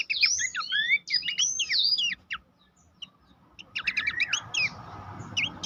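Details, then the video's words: Abbott's babbler master song for training contest birds: swooping high whistles and chatter, a silent gap, then rapid clipped notes as a broad hiss of background noise rises. "masteran mewah khas pelanduk semak"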